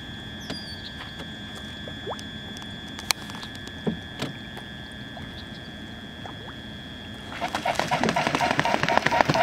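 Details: A single Mute swan takes flight at Dragon Run Marsh, Delaware City, Delaware, with surprisingly loud, heavy, rhythmic wingbeats and splashing that build quickly in the last two seconds, after a steady high whine and faint clicks.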